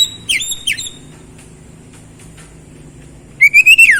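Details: Oriental magpie-robin song played to get a silent bird singing again: two quick whistled, downward-sliding phrases at the start, a pause, then a louder run of rising and falling whistles at the end.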